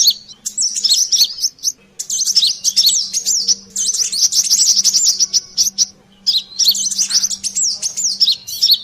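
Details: Lure recording of a brown-throated sunbird (kolibri klapa, sogon) calling busily: high, thin, warbling chirps in rapid bursts with short pauses, over a steady faint low hum.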